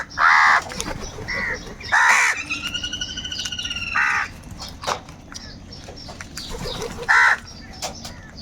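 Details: Angry crows fighting over food: loud, harsh, rasping caws in short bursts, several spaced a second or more apart, with a thin, steady whistled tone from another bird in between and busy background noise.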